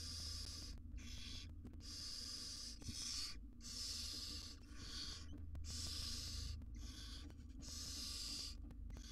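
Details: Wild barn owl family, the mother grooming small chicks in a monitored nest box: about nine rough, breathy hisses in quick succession, some short, some near a second long, with steady background hum.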